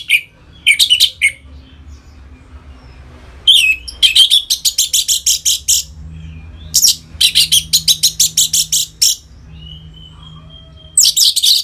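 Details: Caged orange-headed thrush singing continuously in ngeplong style to stimulate other birds toward breeding: bursts of fast, scratchy, high rattling notes alternate with short whistles, several long rapid series over about eleven seconds, faint low hum behind.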